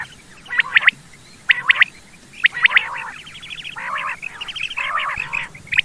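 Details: Quail sound used as a hunting lure, with groups of clipped notes alternating with longer harsh, grating, buzzy phrases, all at a similar pitch and loosely spaced.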